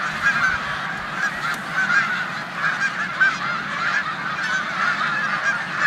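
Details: Huge gathering of snow geese in a corn field, Savannah, New York, 14 March 2020, among resident Canada geese; overlapping high honks swell and ebb in a continuous clamour.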